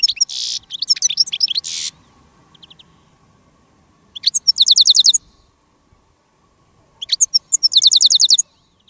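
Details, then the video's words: Decoy goldfinch calling in wild birds during a finch-trapping day in the field; loud twittering phrases of rapid, evenly repeated high notes, given in bursts separated by pauses of about two seconds. "Jilguero de reclamo jilguera de jarilla y jilgueros de campo"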